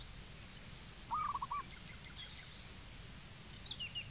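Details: In Cambodia a zebra dove gives one brief rattling phrase of four or five quick low coos, while faint high chirps and trills of other birds continue around it.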